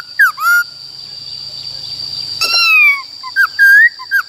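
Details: Forest-style song of a white-cheeked laughingthrush, played to train wild-caught and young birds. Two short whistles, a quiet gap, a long falling whistle, then quick slurred notes. A constant high-pitched whine runs throughout.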